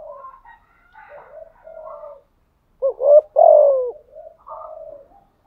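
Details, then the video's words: Spotted dove kept as a decoy, cooing 'thúc gù' with a 'giọng thổ' voice: low murmured notes at first, then a loud rolling coo ending in a long falling note, followed by softer coos. "chim cu mồi thúc gù liên tục"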